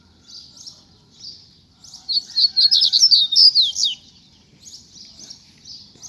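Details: Caged coleiro (samurai bird) singing after rain, pushed to loosen its song: a bright, fast warbled phrase of rapid chirps around two seconds long, flanked by softer repeated high notes; low rumble beneath.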